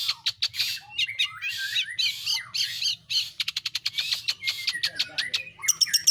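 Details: Long-tailed shrike (pentet/cendet) in energetic rolling song: dense scratchy squawks and buzzy phrases, then a rapid rattle of clipped chirps and high whistles, with a low hum beneath.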